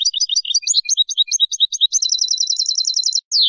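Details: Spanish European goldfinch song used to tutor young birds: rapid tinkling twitter of varied high chirps that shifts into a fast, even rattling trill, then ends with a sharp downslurred note; clean recording with no background noise.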